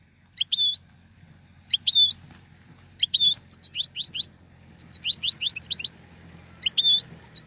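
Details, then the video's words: European goldfinch song meant for tutoring young birds: bright, high twittering that opens as separate flicking chirps, then runs into a quick chattering string of tinkling notes, over a faint low background hum. "أفضل تغريد الحسون"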